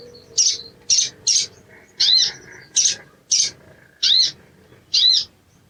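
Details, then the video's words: Sogon, an Indonesian songbird, in a recording meant as therapy to get birds singing fast: eight sharp, high chirps spaced about half a second to a second apart, with a faint low hum early on. "TERAPI BAHAN SOGON IJOAN CEPAT BUNYI"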